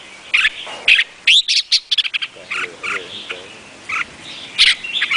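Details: Vietnamese red-whiskered bulbul giving loud, punchy whistled notes in quick succession, including a fast rising slur and a run of clipped chirps, amid a busy chorus of softer birds.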